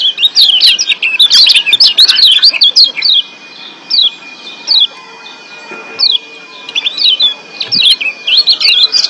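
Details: High, rapid twittering from an excited Lombok white-eye in breeding condition, Lombok, Indonesia: a dense run over the first three seconds, then single sharp chirps spaced about a second apart.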